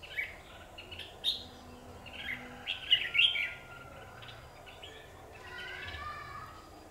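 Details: Red-whiskered bulbul used as a caged decoy at a trap, fighting hard enough to bend its cage, recorded 9 November 2019 in Vietnam; short bright chirped and warbled notes in scattered bursts, with a low background hum.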